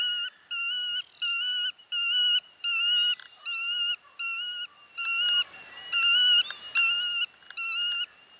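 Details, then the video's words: Black-tailed godwit on the Bug River repeats a steady, nasal, ringing note rich in overtones, about once every 0.7 seconds, with a second calling bird overlapping near the end. "Rycyki na Bugu"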